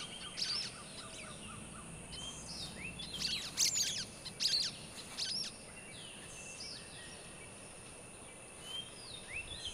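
Sulphur-bellied flycatcher giving sharp, squeaky, high notes in short bursts, loudest around the middle, over a steady high insect drone and faint chirps from other birds.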